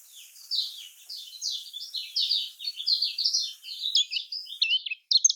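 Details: Kecial kuning, the lemon-bellied white-eye, singing in the Lombok style. It gives a continuous, busy warble of high slurred notes that rise and fall without a break, over a soft hiss.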